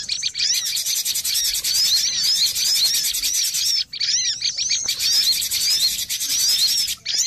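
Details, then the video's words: Noisy lure recording of cinereous tits: dense, busy high chirps and twittering from several birds, overlapping rapid upswept notes almost continuous, with two short breaks. "Suara pikat burung gelatik batu ribut"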